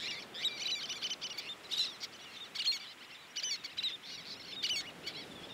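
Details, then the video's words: Least terns at a busy beach nesting colony with chicks, adults gathering fish and chasing other terns from their territory; shrill high chattering calls in overlapping bursts from many birds. "Hectic Life in the Least Tern Colony - Baby, Juveniles, and Adults"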